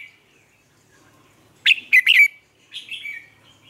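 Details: Red-whiskered bulbul lure song for training caged bulbuls, Vietnam: after near silence, one loud phrase of three quick whistled notes, followed by softer trailing warble.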